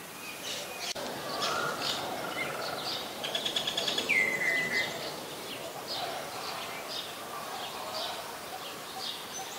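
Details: Common Myna recorded in Ubon Ratchathani, Thailand, on May 8, 2022, with a Nikon P1000: scattered short chirps and squeaky notes with one clear, falling whistled note near the middle, over steady outdoor background noise.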